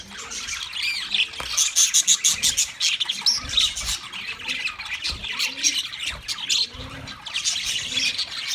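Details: Wild budgie flock in full chatter, rapid high chirps and scratchy squawks pulsing in loud bursts about every half second.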